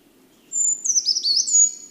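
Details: Brown Creeper song replayed at normal speed after a slowed version: a very high, thin, brief phrase of sliding notes lasting about one and a half seconds, with faint low hum underneath.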